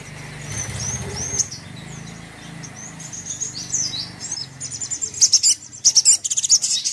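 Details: Crimson sunbird song used to provoke another sunbird to anger: faint high thin chirps over a steady low hum, then a burst of sharp, rapid high-pitched trilled notes near the end.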